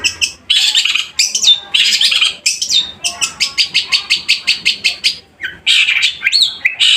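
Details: Caged long-tailed shrike, kept as a song bird, singing loudly: harsh scratchy bursts, then a fast run of evenly spaced buzzy notes about four per second, ending in sharp chattering phrases.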